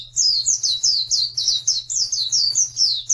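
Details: High, bright Oriental white-eye song from a training recording for birds reluctant to sing. Quick, evenly spaced downslurred whistles, about four per second, with a faint low hum behind them.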